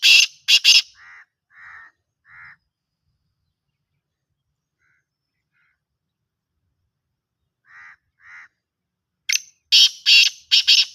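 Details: Black francolin calling in loud, harsh, grating bursts mixed with shorter buzzy notes, in two separate bouts divided by a long silence.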